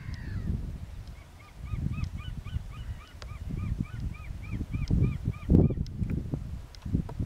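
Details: Four White-tailed eagles (Haliaeetus albicilla), probably 2nd/3rd-year birds, flying in calmly from the east at Beninger Slikken on 4 October 2018, give rapid yelping flight calls, about four a second, faint beneath strong rumbling wind.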